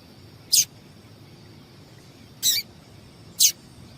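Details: Female yellow-bellied seedeater giving calls meant to stir up males, as kept by breeders of competition singers; three sharp, high-pitched chirps, the first and last brief and the middle one slightly longer, over a quiet background.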